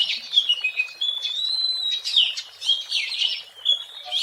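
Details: Oriental magpie-robin singing in the wild as a lure: sweet slurred whistles, including a long level note, broken by harsher buzzy bursts and a rising whistle at the end.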